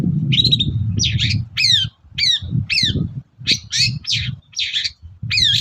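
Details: Long-tailed shrike's energetic morning song, a lure prompting other shrikes to reply: separate harsh phrases and downward-sweeping scratchy notes roughly every half second, with softer low rumbling between them.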